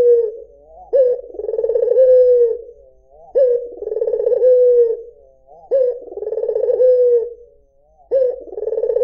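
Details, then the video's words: White Barbary dove ('puter putih') repeating its soft, rolling coo four times, each phrase a short rise, a trembling pulsed section and a smooth falling tail, about every two and a half seconds. "SUARA PUTER PUTIH || JERNIH 3 DETIK LANGSUNG NYAUT || SUARA BURUNG PUTER MERDU"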